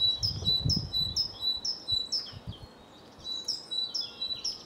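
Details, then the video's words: Great tit in song at Cambridge, UK, on 24 March 2020 shortly after 2 pm; repeated two-note high-low phrases, about ten in all with a short break midway, over low thumps and background rumble. "Great tit bird singing call"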